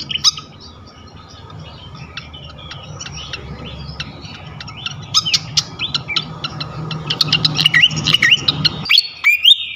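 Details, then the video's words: Flycatcher song serving as bait to provoke other flycatchers: sparse faint ticks at first, building into fast bright twittering and short rising whistles toward the end over a low steady hum. "Auto Konslet gacor ngeplong sikatan manapun sekali pancing ini."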